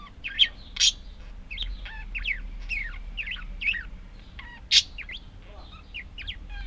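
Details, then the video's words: Budgerigar warbling: a stream of high chirps, rising and falling squeaks and a few sharp clicks, over a faint low hum. "Волнистые попугайчики (budgies)"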